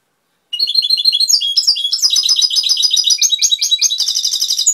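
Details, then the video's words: European goldfinch song in the style labelled Cobia Málaga, Touilila: a fast, continuous run of bright twittering notes and high trills with buzzy stretches, unbroken for over four seconds in a quiet indoor setting. "Jilguero cantando Cobia Málaga -Touilila"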